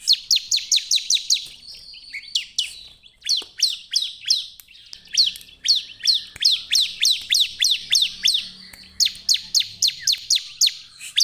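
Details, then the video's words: Bar-winged prinia singing rapid series of sharp, high, downslurred chips in bursts of five to eight with brief pauses, a lure recording meant to get other prinias singing. "SUARA CIBLEK GACOR"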